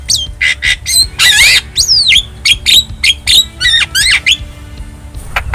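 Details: Javan myna from the wild giving a fast series of squeaky, whistled and rasping notes, roughly two per second, with one long harsh buzzy burst near the start and downslurred whistles throughout.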